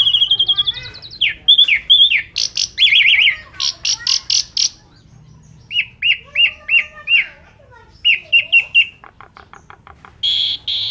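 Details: Asian pied starling singing a long run packed with imitations, used to train pet birds; dense high chirps, buzzy bursts and repeated rising notes in shifting phrases, with a brief quiet gap.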